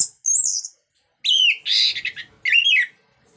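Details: Orange-headed thrush singing to spur other birds into song: a high slurred whistle, then a harsh buzzy burst and a rising and falling warbled phrase, separated by short silences.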